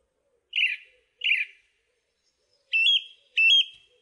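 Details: Song thrush giving a rough, blurred note twice, a pause, then a clear wavering whistled phrase twice, each repeated pair well spaced.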